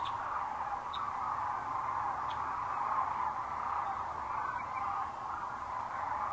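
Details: Sandhill cranes come in for the night at Rowe Sanctuary, Gibbon, Nebraska, under the setting sun on April 4, 2013, on a webcam; a constant, blended roar of many calling birds with only a few faint high chirps.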